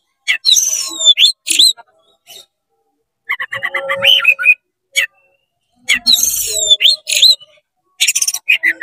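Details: An excited oriental magpie-robin spreads its tail and sings hard to stir up other magpie-robins, giving loud sweeping squeaky phrases, buzzy chatter and rapid high notes, separated by brief silences.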